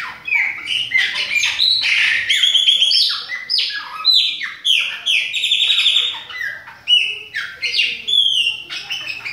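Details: Chopi blackbird of the Bahian type in steady full song: bright whistles, rising and falling slurs and harsher chattering notes delivered in quick succession, with brief gaps between bursts of phrases.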